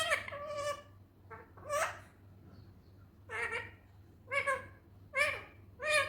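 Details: Ringneck parrot talking indoors: a series of short, voice-like syllables with rich harmonic tones, grouped in bursts about a second apart, with a low steady hum underneath.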